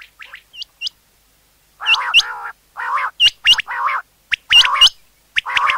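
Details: Common quail sound for hunting, with bright hooked whistle notes paired over buzzy harmonic bursts in close series, with quick clicks between.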